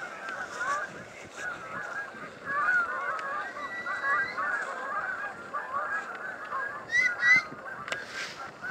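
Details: A huge flock of Canada geese, thousands strong, on the Salmon River near Truro in March 2014, keeping up a continuous wash of mid-pitched honking with a few brief, sharper calls rising above it.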